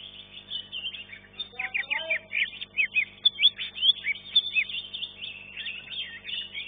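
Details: Contest song of a green leafbird entered in class one, winning third place: rich, rapid warbling with slurred whistles and clear upward-flicked notes, delivered at a brisk pace against low crowd murmur and hum.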